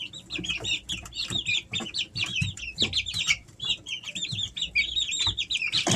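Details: Three-week-old Easter Egger chicks, pets at home in summer, trilling in fast strings of high, wavy peeps almost without pause, with light tapping and shuffling underneath.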